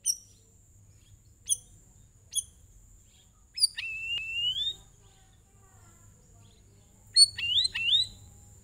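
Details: Sooty-headed bulbul singing, used to prompt other birds into singing: scattered sharp high chirps, then two bursts of rising whistled phrases around four and seven seconds, over a steady thin high-pitched whine and low rumble.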